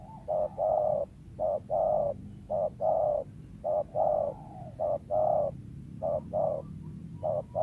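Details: Wild spotted dove valued as a lure, giving a long run of paired short-and-long coos in steady rhythm, each pair about a second apart.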